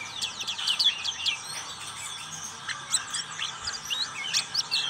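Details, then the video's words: Black-capped white-eye ngriwik singing: dense, overlapping high twitters and squeaky notes in quick bursts, busy and jumbled, with brief quieter gaps between flurries. "Pleci black capped ngriwik"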